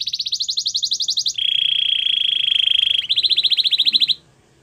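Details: Belgian canary in training, singing to warm up for females: a rapid high pulsed trill, a long steady buzzy tone, then another fast trill at slightly lower pitch before quiet.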